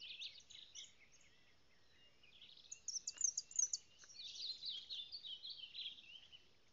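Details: Ultramarine grosbeak (reina mora) from Salado singing at some distance: rapid high twittering and warbled phrases with a few louder bursts midway, over steady low background noise.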